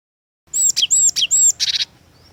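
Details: Cinereous tit, called glatik watu, singing energetically as a lure bird: high clear whistled notes sliding downward, interleaved with sharp chirps and ending in a short buzzy rattle, with faint background hiss.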